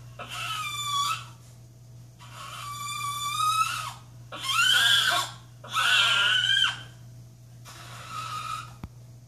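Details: An excited pet macaw, indoors while the family watches TV, gives five loud, harsh screeches, each about a second long, with brief pauses between; a steady low hum runs underneath.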